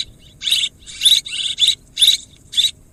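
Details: Short sequence of swiftlet calls: about five buzzy, rattling chirp bursts with thin whistles, spaced roughly half a second apart, quiet hiss between.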